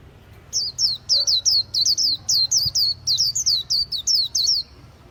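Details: Khuyen bird, a songbird kept to provoke other birds, giving a fast series of high, sharp descending notes, each a bright downward-slurred chip, repeated about four times a second with short gaps, over a quiet low hum.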